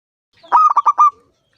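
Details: Five-year-old local zebra dove with a big voice, singing to draw other zebra doves into song: one short burst of four rapid, slightly rough coos, closely spaced, then silence.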